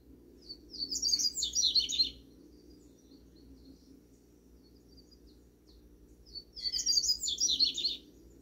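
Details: Double-collared seedeater singing in a backyard: two bursts of rapid, high, jumbled twittering notes about five seconds apart, over a steady low background hum.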